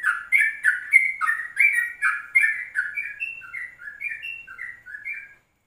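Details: Morning yellow-vented bulbul song taped at 04:30 as a lure for other birds, in ropelan style. A dense run of chattering, slurred notes gives way to clearer, spaced, downward-sliding whistles that fade out.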